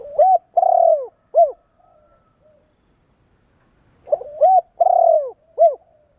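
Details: Spotted dove cooing, played to stimulate and train decoy birds: two soft, hollow phrases about four seconds apart, each a couple of short hooked coos, a long drawn-out falling coo, then a brief closing note, over a quiet background.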